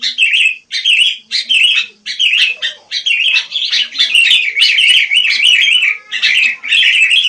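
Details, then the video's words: Wild sooty-headed bulbul in lively chirping: short, bubbly, wavering high phrases repeated in quick succession, first separated by tiny gaps, then running together into a continuous warble before breaking apart again. "Rame Kicau Burung Kutilang"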